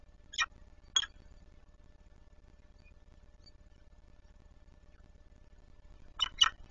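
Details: Peregrine falcon at feeding time in Warsaw, 26 April 2020 at 10:05: four short harsh broadband calls in two close pairs, each pair about half a second apart, separated by roughly five seconds of near silence over a faint low hum.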